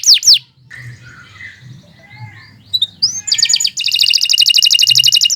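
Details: Canary in long, continuous song: two sharp descending whistles, then softer warbling phrases, building into loud, rapid, dense trills repeated several times a second at high pitch; a faint low hum underneath.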